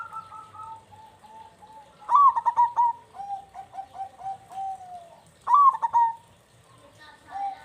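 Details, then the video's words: Actively singing local zebra dove, a recording used as bait so other doves start calling. Gentle trilled cooing runs alternate with two loud, clipped, rising-then-falling coo bursts, about three seconds apart. "Local Turtle Dove Gacor Super Sound"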